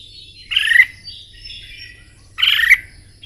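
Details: Red-whiskered bulbul in morning contest song training, giving two harsher, fuller chattering phrases about two seconds apart over a faint low hum.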